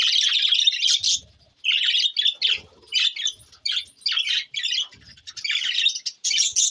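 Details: June 20, 2024 recording of budgies trading choppy, high chirping bursts roughly every half second, gritty and warbled, with faint low knocks between phrases.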